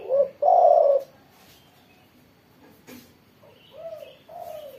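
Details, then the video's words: Spotted dove singing after morning sunning: a brief rising note and a loud hollow coo, then softer, drawn-out falling coos after a pause, with a faint distant chirp in the background. "burung tekukur derkuku gacor setelah jemur pagi"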